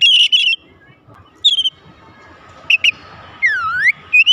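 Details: Song of an Oriental magpie-robin meant to get other magpie-robins singing: scattered bright whistled notes separated by quiet gaps, including a clear swooping whistle that dips and rises again.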